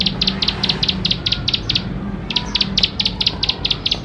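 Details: Plain prinia, a vigorously singing bird, used to prompt young prinias to start singing: rapid series of sharp high ticking notes in quick bursts, pausing briefly midway, over a steady low hum.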